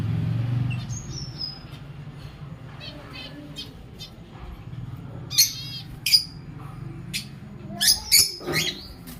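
Lovebirds give sharp, high chirps and short squeaky bursts, scattered in the second half with a few quick clusters, over a low background hum.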